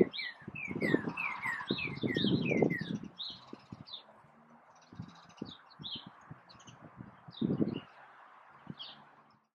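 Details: Backyard Northern cardinal song: a rapid series of bright falling whistled slurs in the opening seconds, followed by scattered softer notes, with low knocking noise and a steady background hiss.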